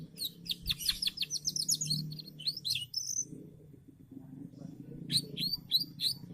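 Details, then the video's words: Canary singing a burst of quick, sharp high notes, falling silent over a steady low hum, then starting another short run of chirps. "kenari gacor"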